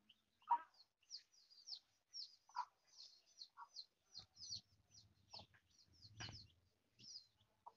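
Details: Mother hen foraging: soft scattered clucks and low grunts, with many thin high peeping chirps from chicks repeated throughout, quiet setting.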